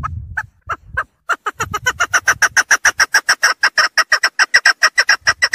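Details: Female chukar calling: after a few scattered notes, a rapid series of clucking chuk notes builds into a steady train of about two to three per second. Low thumping at the start.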